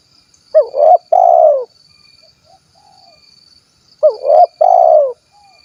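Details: Spotted dove (tekukur) from Cilacap, Central Java, giving the kuk 1 call style: a low, mellow coo phrase of a short note followed by a drawn-out cooing note, repeated about three and a half seconds later. A faint thin high tone persists.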